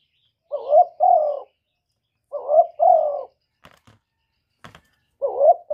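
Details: Spotted dove cooing in the 'một hậu ròng' manner: three low double-note phrases, each a short note and then a longer one, separated by pauses of about a second. Faint clicks are heard between them.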